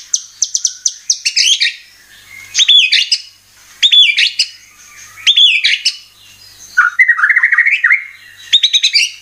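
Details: White-rumped shama lure song for provoking birds to sing their repertoire: phrases about every one and a half seconds of rapid sharp ticks running into loud looping whistles, ending with a twittering warble.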